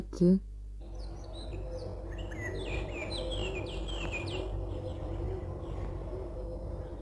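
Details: Eurasian blackcap singing in parks, gardens or settlements in Bulgaria: rich, varied warble of quick fluty notes rising and falling for a few seconds, over a low hum. A brief spoken word comes first.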